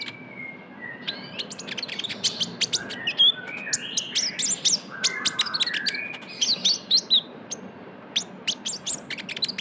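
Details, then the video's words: Lure recording of a vocal, chattering young kolibri ninja sunbird: dense high twittering with sharp chirps and short whistled slurs, delivered in fast irregular runs throughout. "PANCINGAN KONIN TROTOL GACOR (KOLIBRI NINJA)"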